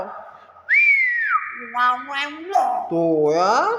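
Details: Nias hill myna producing a clear, high, level whistle that rises and then falls. It is followed by a series of rising, voice-like harmonic notes, ending in a wavering, speech-like phrase.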